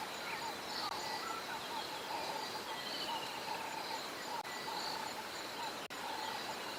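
White-faced whistling ducks pass overhead, giving thin, high whistles repeated every second or so, over a steady hiss of dawn bird chorus and insects.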